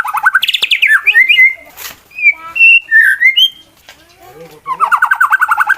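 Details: Male white-rumped shama (competition bird) singing a fighting song meant to provoke rival shamas: loud rapid rattled trills around the middle, clear whistled slurs and upsweeps, a short gap, then another fast trill.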